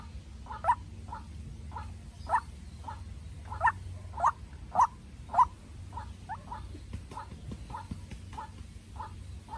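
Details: White-breasted waterhen, a young captive decoy set out to confront a wild bird, giving a long run of short, hoarse notes at almost two per second, some louder than others, over a low background hum.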